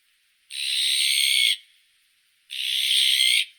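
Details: Azure-winged magpie (Cyanopica cyana) making two drawn-out, scratchy, rasping calls about one second each, two seconds apart, against a silent background.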